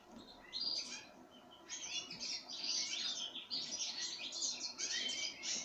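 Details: Pine grosbeak eating sunflower seeds, giving quiet chirps at first, then louder clustered twittering bursts separated by short gaps.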